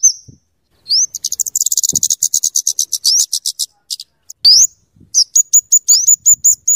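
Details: Scarlet-headed flowerpecker (kemade) in rapid crecetan-style song used for tutoring: a long, fast, slightly rising run of dense ticks, then upslurred whistles and a string of short high notes.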